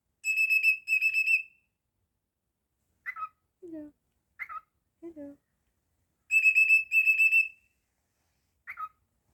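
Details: Pet cockatiel whistling shrill, rapidly pulsed high notes in two bursts several seconds apart, with short chirps and brief low vocal sounds in the quiet gaps.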